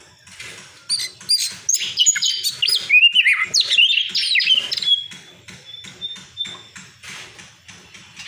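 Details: Old white-breasted Oriental magpie-robin giving a loud, varied burst of whistled and warbled phrases, then a thin sustained whistle and soft, evenly repeated clicking notes, about four per second.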